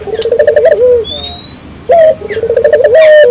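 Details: Barbary dove singing energetically to encourage local doves: a quick rolling, pulsed coo ending in a sliding falling note, then a sharp clipped call and another rolling coo. A thin rising whistle from another bird and a steady high hum are also present.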